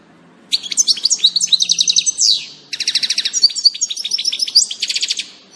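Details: Singing European goldfinch, recorded 16 June 2018, delivering two long phrases of quick chattering, tinkling notes with buzzy trills and a falling slurred element, high and lively over faint background hum.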